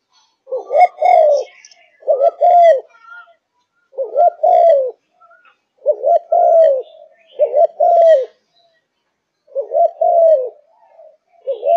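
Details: Spotted dove of the Malaysian type, a caged singer, giving six or so cooing phrases in a row, each a rolled double coo sliding into a falling croo, with light chirps of small birds in the background.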